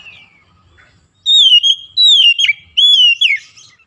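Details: White-rumped shama (kacer) song played as therapy to make a silent bird sing: three loud, rich whistled phrases with falling slurs, after a faint soft note at the start.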